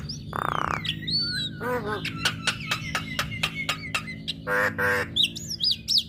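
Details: Singing female Javan myna, whose song makes other mynas react: a harsh buzz, then a fast series of sharp clicks, buzzy bursts and high upswept chirps, over a low constant hum.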